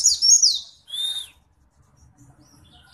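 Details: White-eye, an Indonesian songbird kept and contested for its skill at mimicking other birds, singing in a rolling style with open beak: thin high twitters and a downward-sliding whistle in the first second, then near silence.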